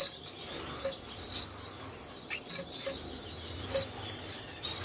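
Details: Red-headed Gouldian finch pair during courtship, paired for breeding minutes earlier in their third breeding season together, with a nest box; scattered short high chirps and squeaks at irregular intervals over faint low background hum.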